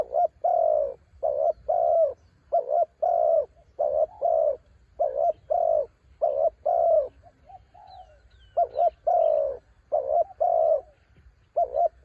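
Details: Decoy spotted dove from the mountains, calling in strong wind: a long steady run of low mellow coos, about a dozen short bursts in pairs, with a brief quieter break midway.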